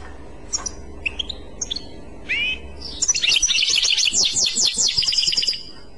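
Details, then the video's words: European goldfinch in clochette song: scattered sharp chips and a short rising double note, then a loud burst of rapid, bright, rattling twitters lasting over two seconds. "تغريد كلوشات Chant Clochette"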